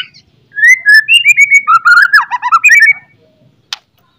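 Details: White-rumped shama in the morning with a loud, clear song meant to raise fighting spirit; a flowing whistled phrase breaking into quick, falling, fluty notes, followed by silence and one sharp click.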